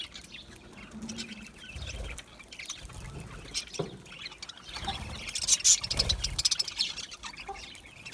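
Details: Budgies chirping, the chatter quiet at first and then swelling into a dense run of sharp, high twittering notes near the middle before fading again.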